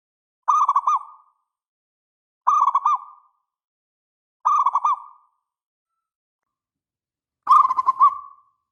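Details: Local zebra dove repeating a short bubbling coo phrase about every two seconds, four times, each a quick cluster of soft mellow notes.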